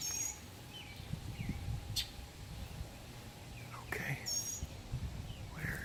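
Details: Juvenile Northern Mockingbird, not yet foraging on its own, gives harsh, piercing shrieks with short high chirps between them, over low rumble and faint talking; an adult was nearby seeking food; Southaven, Mississippi, summer 2018.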